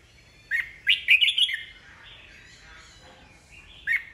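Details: Red-whiskered bulbul, an old wild-caught kept bird, singing to excite newly caught birds into answering. A quick rising note leads into a rapid cluster of bubbly chirps, a soft drawn-out trailing tone, and a final sharp chirp.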